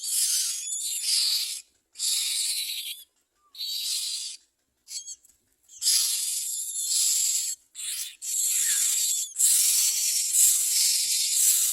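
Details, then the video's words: Myna chicks begging as parents bring them crickets to eat: harsh, hissing raspy bursts lasting one to two seconds, separated by short silent gaps, running almost unbroken toward the end. "Myna Birds only found crickets today, so they came to feed the children"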